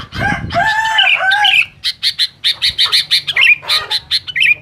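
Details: A sooty-headed bulbul sings noisily at rivals. It opens with a few clear, full whistled notes sliding down, then breaks into a quick series of short, harsh, rasping bursts, some ending in bright upturned whistles.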